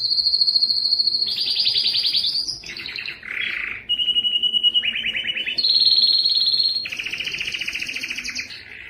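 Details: Canary singing for training other canaries: a steady pure high note, then buzzy trills dropping to lower, throaty rolls, a mellow gurgle, and bright whistled and trilled tours again toward the end.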